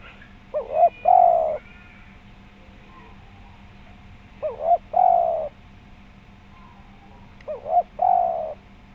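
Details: Tekukur, the spotted dove, calling in a full, round voice as a lure for other doves. Three short phrases come roughly every three and a half seconds. Each is a quick double note followed by a long, smooth coo that sags slightly at its end.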